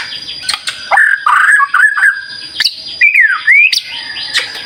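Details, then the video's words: White-rumped shama in vigorous song for provoking other birds to respond. Loud, rich whistled phrases slur down and then up, separated by sharp clicks, with a faint steady high tone behind them. "Pancingan Murai Batu Gacor"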